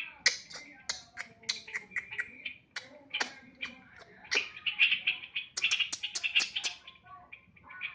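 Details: Sooty-headed bulbul singing a busy stream of short bright chirps and quick slurred notes, several each second, with brief pauses and a faint background hum.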